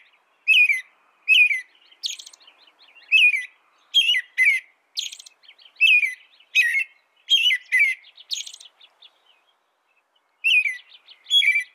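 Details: Song of an American robin, a series of clear caroled phrases interspersed with high, thin squeaky notes, delivered in bursts with short pauses and a longer silence near the end.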